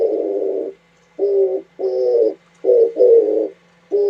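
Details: Oriental turtle dove recorded in January 2017, delivering a run of deep, hoarse coos grouped in ones and twos with brief pauses, plus a faint high thin sound in the background.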